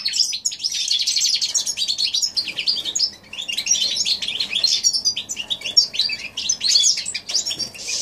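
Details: Goldfinch x canary hybrid in January 2016 singing a continuous, dense stream of high twittering chirps and rattling trills, with one brief break midway.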